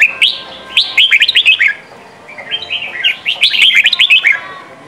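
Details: Red-whiskered bulbul training song for young birds, in the style called Sông kon: two bursts of bright, rapid whistled phrases with sliding, warbling notes, separated by a short pause, each burst lasting about a second.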